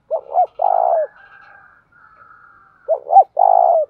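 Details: Spotted dove acting as a decoy to draw wild doves into cooing: two soft phrases, each two short hoots and a longer mellow coo, with a faint thin tone drifting between them.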